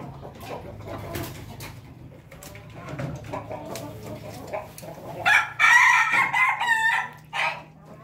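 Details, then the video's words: Pelung chicken heard crowing among other chicken calls: faint clucks and rustles for several seconds, then a loud, harsh, stuttering crow of rapid bursts followed by a brief final phrase, over a steady low hum. "hunting ayam ketawa pelung berkokok"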